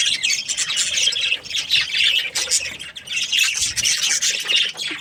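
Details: Budgerigar breeding pairs, Australian parrots, squawk and chirp in waves of high, buzzy chatter that swells and eases every second or two.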